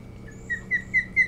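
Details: Osprey at its nest on Hog Island, Maine, 25 July 2018, via nest cam: four loud, clear whistled notes, each rising then dipping, spaced about a quarter second apart, over a faint low hum.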